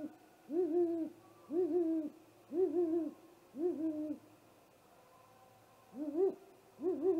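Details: Great horned owl attacking a great gray owl at its nest, recorded by a live nest camera just after midnight on 30 March 2018; mellow two-part hoots repeated about once a second, a brief pause, then more.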